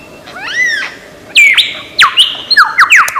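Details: Lyrebird in Australian forest, known as a great mimic, giving a medley: a faint rising harmonic whistle, then loud sharp downward-sweeping whistles and buzzy notes in quick irregular bursts.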